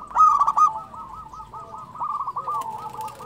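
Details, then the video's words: Active local zebra dove song: a loud opening burst of rapid coos, then a run of quick, rolling, repeated coo notes from overlapping birds. "SUARA perkutut lokal gacor"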